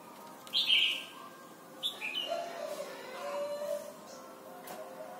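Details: Red-whiskered bulbul from Thailand, in a recording meant for teaching young birds to sing: a bright, slurred whistled phrase, then a second burst of warbling notes, over a low steady hum.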